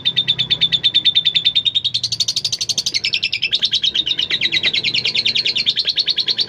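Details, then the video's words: Long ngekek trill from a tame female lovebird used to encourage other lovebirds to sing: an unbroken stream of rapid, buzzy high-pitched notes lasting over six seconds, wavering slightly up and down. "lovebird ngekek panjang"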